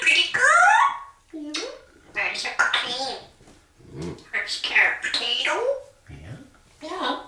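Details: Saturday-morning blather from a pet African grey parrot in a small room while its owner showers: rapid speech-like syllables with sliding, whistled inflections, broken by brief pauses and lower croaky notes.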